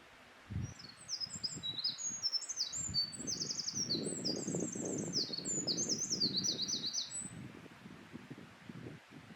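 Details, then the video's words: Wild Eurasian wren delivering an extended, very high, fast-paced song: sharp trilled bursts and rippling runs for roughly six seconds, over a steady low rumbling background. "ミソサザイ Eurasian Wren"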